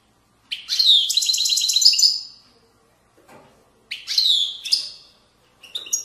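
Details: European goldfinch delivering authentic widani song from the banks of Moroccan valleys. Two dense bursts of high, jingling twitters and rattles are separated by a pause, with a third phrase starting at the end.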